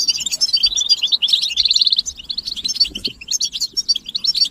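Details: European goldfinch chorus of mating and readiness calls meant to rouse males into singing: dense high tinkling twitters and rapid chattering trills, a fast buzzy run near the middle, continuous with no pauses.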